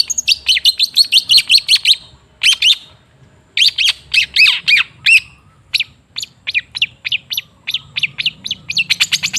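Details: Long-tailed shrike singing as a lure for silent birds: rapid scratchy rattles, a pause, then harsh squawking phrases followed by spaced sharp down-slurred notes and a closing fast chatter.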